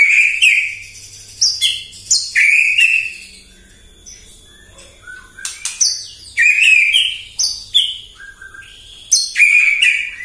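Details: White-rumped shama in morning song meant to provoke rival birds: bursts of bright whistled phrases mixed with clicks and harsh notes, repeated several times with quiet gaps between.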